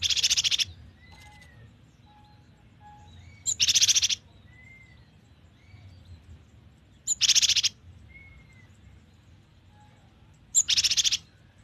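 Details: Cinereous tit giving loud, buzzy, rasping bursts of about half a second, repeated roughly every three and a half seconds, with faint thin whistles from other birds between them.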